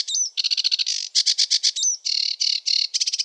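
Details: Sedge warbler (Acrocephalus schoenobaenus) song opening with a sweeter slurred whistle, then chattering ticks and broad harsh buzzes, with another whistled phrase midway.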